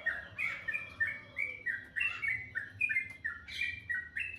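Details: Morning birdsong, melodious: quick sequence of short whistled and chirped notes, about three per second, varying in pitch, with a lower fading whistle early on and quiet background.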